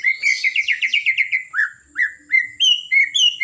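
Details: Energetic blorok white-rumped shama singing to excite other birds, opening with a quick run of repeated chirpy notes, then clear rising whistles and sweet slurred phrases at varied pitch.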